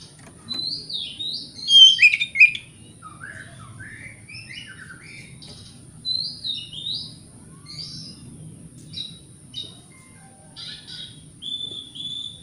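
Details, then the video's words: Oriental magpie-robin (kacer) provocation song for agitating other magpie-robins: a loud opening run of varied whistles and downslurred notes, then softer scattered chips and short whistled phrases over a steady faint hum. "30 Menit Dengarkan Pancingan Kacer Ini - Kacer Jenis Apapun Gak Kuat Nahan Emosinya"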